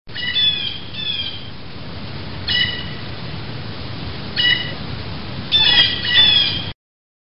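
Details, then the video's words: A blue jay gives harsh, nasal 'jay' calls, singly and in pairs at irregular intervals, over a low outdoor rumble. "Blue Jay Call"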